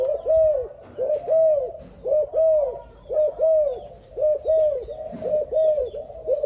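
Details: Spotted dove cooing steadily: soft, mid-pitched arched coos in close pairs and short runs, about one phrase a second, with faint background clicks.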